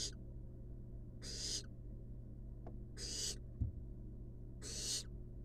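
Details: Resting wild barn owl chicks inside a nest box repeat a scratchy, snoring hiss four times, with a faint knock between calls and a low electrical hum throughout.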